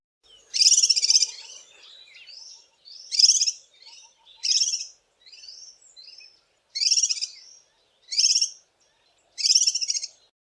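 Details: Cape White-eye, a common garden bird of South Africa's Eastern Cape, gives bright, high twittering phrases, each under a second, repeated every one to two seconds with softer chirps between.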